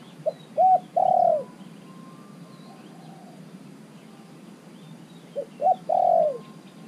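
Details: Caged spotted dove, three months in the cage, used as a decoy that calls wild doves to join. Two low, mellow coo phrases, each with two short notes and a long drawn-out coo, set against steady insect-like buzzing.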